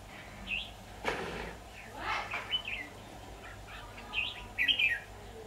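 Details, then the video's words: Red-whiskered bulbul serving as a trapping decoy, 23 October 2019, uttering short warbled whistles around a brief rustling burst, ending with a loud, rich chirping phrase. "Bẫy chào mào"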